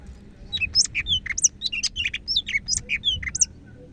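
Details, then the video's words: Greater green leafbird from Medan in full song: a fast, varied stream of slurred whistles and chips, rising and falling sharply, delivered continuously with hardly a pause. "BURUNG CAK IJO MEDAN GACOR"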